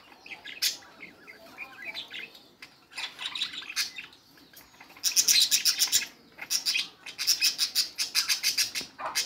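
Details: Budgerigar chatter: scattered soft chirps early, then from midway dense bursts of rapid, sharp, high chirps, pulsed in quick rows with brief pauses between clusters.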